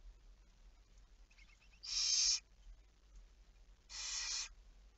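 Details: Barn owl recorded at night, 23:34 on 11 May 2019: a brief burst of quiet ticking, then two loud, harsh, breathy hisses about two seconds apart.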